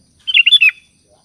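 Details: Sooty-headed bulbul calling to its companions with one rapid phrase of four or five liquid, warbling notes, rich and bubbly, lasting about half a second.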